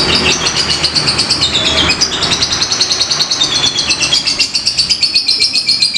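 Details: Fighter lovebird in ngetik ngekek style: a long, unbroken, high, buzzy chatter of quick ticking notes, about four a second, sliding slightly downward at times, set against a quiet low rumble.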